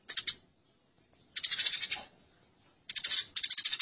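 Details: Fighting Eurasian tree sparrows give dense, scratchy chatter in three bursts, the last two long and rapidly pulsed, with quiet gaps between.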